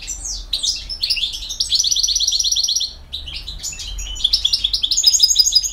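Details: European goldfinch with 'campero' song: continuous fast twittering, buzzy trilled passages and tinkling high notes, briefly pausing mid-phrase before resuming.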